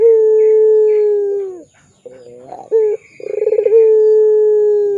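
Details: Pelung-style Barbary dove coo used to train young doves: a long steady coo sliding down at its end, soft burbling, a short accent note, then a throbbing roll into another long drawn coo.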